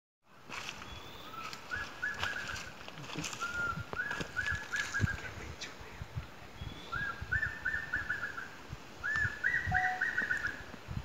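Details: Ornate Hawk-Eagle at Arenal, Costa Rica, giving loud whistled phrases: a lead note, then a quick run of four or five clipped, evenly spaced notes, repeated several times over a steady rustling background.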